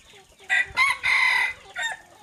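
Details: Decoy rooster recorded around 18:00, crowing loudly in a few strong harmonic bursts. A short opening burst is followed by a longer, sustained, steady middle note and a brief closing phrase, with faint background chatter.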